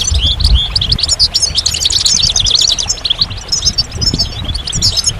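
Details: Continuous high-pitched goldfinch twittering, quick tinkling notes and buzzy trills running together without pause, with a soft low hum beneath.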